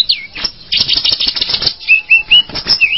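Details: Tledekan gunung bird giving short clear whistled notes that rise and fall, several in quick succession near the end, over dense bursts of dry clicking and rattling.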